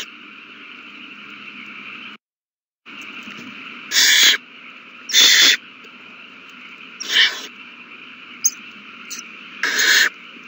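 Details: Owl babies eating well during a feeding on 27 March 2020: a continuous low raspy hiss, briefly cut off, broken by four loud, rough screeching bursts and a couple of short clicks.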